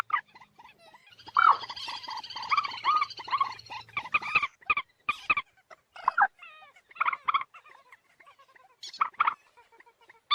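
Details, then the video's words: Moorhen calling: a drawn-out, harsh, nasal call with rich harmonics over about three seconds, then a loose run of short clucking and croaking notes with brief silences between them. "ডুংখোর পাখির ডাক। Moorhen birds shound"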